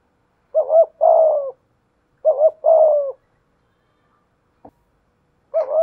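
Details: Spotted dove decoy with a 'thổ pha thúc' voice challenging a wild dove with 'gù' coos. Two clear phrases of a brief warbled note and a longer flat coo, a pause with a faint click, then a third phrase begins.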